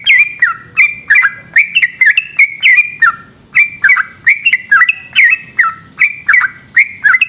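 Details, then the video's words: A yellow-vented bulbul sings at length at night: lively liquid whistles, each note bending downward, poured out in a steady rhythmic series for over seven seconds. "burung trucukan gacor ropel panjang dimalam hari"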